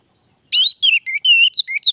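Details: Orange-headed thrush, a short burst of sweet, ringing whistles: a strong opening note followed by several slurred and level whistled notes in quick succession.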